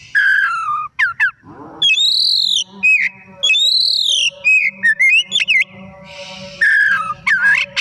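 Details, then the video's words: Oriental magpie-robin giving loud afternoon song as a lure to get other birds singing: falling whistles, a harsh buzzy note, repeated arched high whistles and quick twittering flourishes. "Burung Kacer Gacor || Bahan Istimewa Pancingan di Sore Hari"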